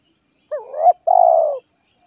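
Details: Spotted dove lure call for attracting wild doves: a single phrase with a short hooked opening note, a rising guttural middle note and a sustained, trilled, slowly descending coo of about half a second.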